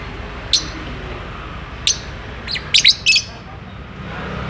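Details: Lovebird courting and eager to mate, caged, uttering brief shrill chirps, then a quick cluster of three harsh squeaks near the end, with low hum behind.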